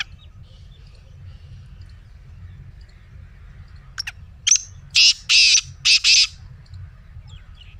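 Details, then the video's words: After a few faint clicks, a black francolin bursts into a rasping phrase. A sharp lead note is followed by four heavy, buzzy, grating notes in pairs. A soft background hum is present. "Black Teetar Voice"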